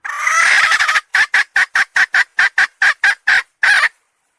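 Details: Hen calling: a harsh drawn-out opening note followed by a rapid run of about eleven loud, clipped, squawking clucks at roughly even spacing, with no other sounds.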